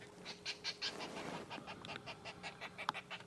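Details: Lilac-breasted roller in Sabi Sands, South Africa, early morning on 14 July 2016, agitated in a dispute with purple rollers, likely over food and possibly a nest: a run of harsh, rasping squawks about five a second, with faint high whistles behind.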